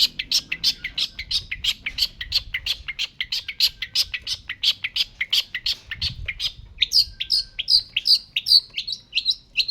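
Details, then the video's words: Long-tailed shrike in full song: a fast series of sharp, high chirping notes repeated about three times a second, switching near the end to clearer, slurred whistled notes; faint low background rumble. "pentet gacor"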